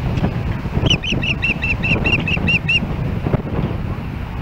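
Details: Osprey at a nest in Hellgate Canyon, Missoula, Montana, on July 4, 2016, calling from a nest camera as another osprey approaches the nest. It gives a rapid series of about nine sharp, high, repeated chirps at a steady pace, with low rumbling background noise.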